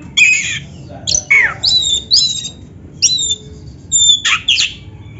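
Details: Black-breasted oriental magpie-robin, a kacer kept by songbird hobbyists, in a training song used to make other caged birds sing: loud, varied whistled and harsh phrases, some falling steeply, others sharp high notes, about eight bursts with brief pauses.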